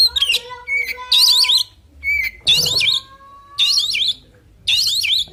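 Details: Oriental magpie-robin singing a fighting song: short bursts of high, twisting whistled notes, roughly one burst a second with pauses between, over steady lower held tones and faint background hum.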